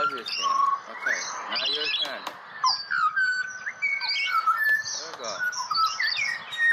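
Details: Serenading pied butcherbird in Australia, with rich rising and falling whistled notes throughout, mixed with a person's voice at the start and busy chirps from other birds.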